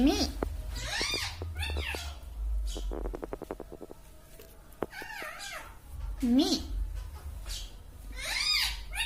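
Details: Pet green ring-necked parrot talking like a human, repeating 'Mummy' and 'Mitthu'. Squeaky arched notes recur in short bursts, a quick run of clicks falls in the middle, and a lower, voice-like drawn-out word comes near the end.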